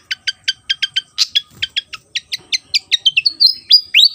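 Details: Javan fantail from Java in lively song: a fast, uneven run of about fifteen sharp, bright chips that end in a few rising, drawn-out whistles. No other sounds intrude.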